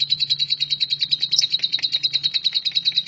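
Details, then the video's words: Short burst of lovebird "nyambung kuntilanak" song, a shrike tutor recording: quick, evenly pulsed shrill chips about seven per second, with a steady low hum in the background. "LOVEBIRD NYAMBUNG KUNTILANAK"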